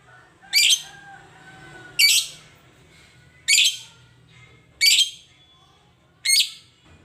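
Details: Lovebird that seldom calls, being encouraged to sing busily (gacor): five rasping, high squawky chirps at regular gaps of about one and a half seconds, with a faint low background hum between them.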